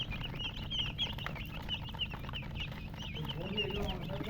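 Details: Baby chicken chicks chirping in a dense flock: many high, quick peeps with downward and up-down inflections overlap continuously, a brief lower clucking sound near the end, over a steady low hum.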